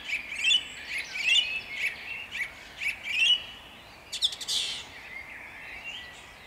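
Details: Dawn song of a song thrush at Jabłonna, recorded 29 April 2021: softer, slightly distant whistled phrases repeated three times, then a harsher chattering burst and a trailing faint note.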